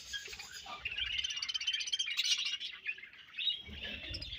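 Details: Many budgerigars chattering as a colony, a steady wall of rapid, high twittering chirps and warbled notes that grows fuller midway, dips briefly, then picks up again.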